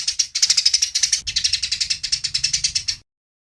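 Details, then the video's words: Eurasian tree sparrows fighting, clear recording: a rapid, harsh stream of high chirps and chattering notes, roughly eight per second, running continuously for three seconds with a brief break near the start. "Suara Masteran Burung Gereja Tarung Suara Jernih"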